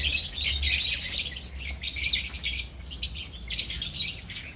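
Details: Lovebirds in a colony chatter loudly, dense raspy high squawks overlapping almost without pause, a short lull partway, low hum underneath.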